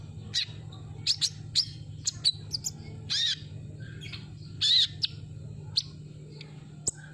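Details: Sunbird lure song: sharp high chirps spaced irregularly, with a few longer buzzy notes, over a low steady hum.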